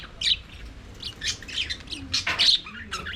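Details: Budgerigars singing and playing in their aviary: a flock's busy warbling chatter of short, scratchy high chirps and squawks, overlapping in quick bursts with little pause.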